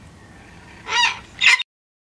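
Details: A grumpy wild Sulphur-crested Cockatoo at a garden feeder utters two rough, noisy squawks about half a second apart before the sound cuts off abruptly.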